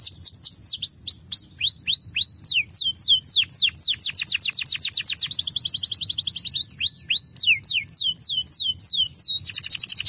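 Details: A crested canary sings continuously in fast runs of high, sweeping whistles and rapid trills, changing phrase every second or so, over a faint low hum; used to prompt young canaries to sing.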